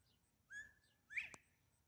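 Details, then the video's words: A Northern Bobwhite, apparently escaped from a flock and trying to join California quail, gives a clear two-part whistle: a level note, then a louder, sharply rising slurred note and a soft click, in an hour of calling back and forth with a person whistling. "The Quail Conversation"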